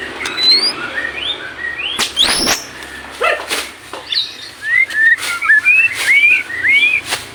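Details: White-rumped shama song used as tutor material for captive birds: rising and falling clear whistles and slurred notes, broken by several loud, harsh, broadband bursts.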